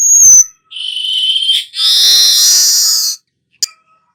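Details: A weaver, called burung manyar, in its 'nyerut' song: a sharp whistled note, then a flat buzzing hiss and a longer, louder sizzling wheeze, closing with a faint click.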